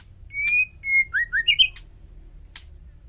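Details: Calling female white-rumped shama, used to provoke males: a sustained whistle, a second whistle, then quick upslurred notes climbing in pitch, ending with a sharp harsh note. Quiet surroundings.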